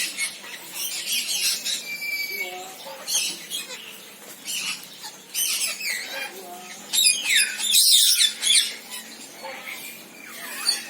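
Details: Senegal parrot calling with rapid, harsh squawks and chatter, irregular bursts throughout that grow louder toward the end, with a brief whistled note partway through.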